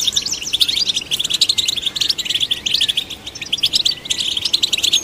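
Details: European goldfinch performance meant to stimulate goldfinches: busy, buzzy twittering of sharp repeated notes, a continuous metallic tinkle with short breathers.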